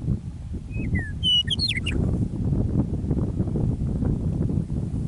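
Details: Prairie Meadowlark near Michichi Dam, Drumheller, Alberta, singing on an early spring evening after winter: clear downslurred whistles lead into a quick bubbling cascade of high notes, followed by gusty wind.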